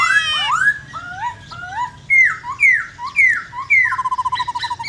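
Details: Black-throated laughingthrush in varied 'forest voice' song, many-voiced: a bright rising whistle, then paired lower upslurred notes, a series of loud downslurred whistles, ending in a rapid stuttering trill.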